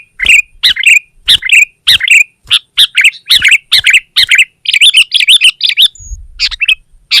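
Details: Sooty-headed bulbul singing to dominate a rival: evenly spaced loud two-part chirps about every third of a second, speeding into a bubbly rising warble, then a few scattered notes.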